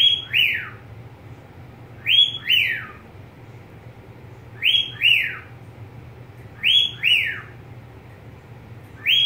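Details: Budgerigar kept as a pet whistling a repeated doubled phrase, each note rising then dropping, the pairs spaced about two and a half seconds apart against a quiet hum.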